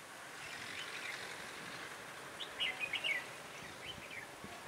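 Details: Red-whiskered bulbul used as a decoy in trapping, on a cold, windy 16 December 2017; a short, chirpy warbled phrase of quick, clear notes in the middle, with fainter chirps around it and steady wind-like hiss.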